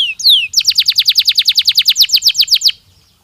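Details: Canary singing to ready birds for the breeding season: two sliding whistles followed by a loud, regular trill of about twenty repeated downward-sweeping notes, ending abruptly.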